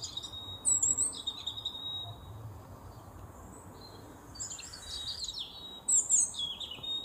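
A European robin sings three high, thin, sparkling phrases of trills and twitters, each separated by a pause, over a faint low background hum.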